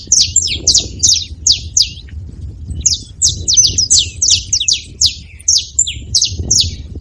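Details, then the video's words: Saffron finches living free, calling at a feeder: two bursts of rapid high descending chirps, about three per second, separated by a short gap, over steady low background noise. "Canarinhos da terra livre na seva fazendo barulho"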